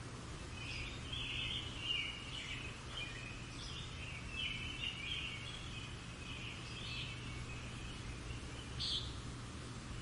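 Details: European robins singing on a countryside morning near old ruins, a fairly quiet, rambling stream of high twittering and warbling notes, one bright sharp note near the end, set against a persistent low droning hum.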